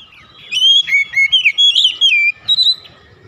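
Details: Oriental magpie-robin singing in the morning: a burst of loud, clear whistled phrases, sliding up and down with quick twisting notes, about two seconds long, then a brief rising whistle after a short pause.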